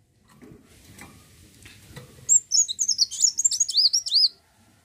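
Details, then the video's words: Olive-backed sunbird, local name kolibri wulung, singing gacor: soft faint rustles, then a two-second spurt of high, rapid, wavering tweets that swoop up and down. "kowul gacor cocok pancing burung anda"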